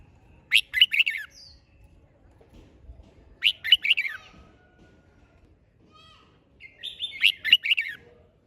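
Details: Red-whiskered bulbul in spirited singing: three short bursts of bright, warbling chirps spaced roughly three seconds apart, each a quick tumbling phrase, with softer thin notes in the pauses.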